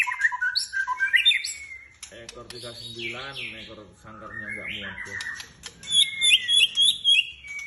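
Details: Caged White-rumped shama in full song: bursts of clear whistles and chirps open and close the passage, with a man talking in the middle and a rapid run of repeated high notes near the end.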